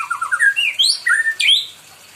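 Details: Pet white-rumped shama in full song, said to want company: a quick stepped run of rising whistles, climbing higher, then two sharp sweeping notes before it falls silent.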